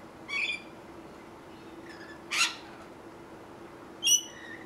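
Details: Rainbow lorikeet feeding in fruit trees in Australia, giving three shrill, grating screeches about two seconds apart over a low steady hum.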